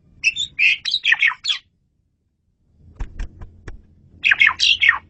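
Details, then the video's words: Asian pied starling singing vigorously for training other birds: two bursts of rich, harsh chattering and whistled notes, separated by a gap of low rumble and clicks. "KICAU SUPER GACOR!!! JAGO BANGET MASTERAN JALAK SUREN INI"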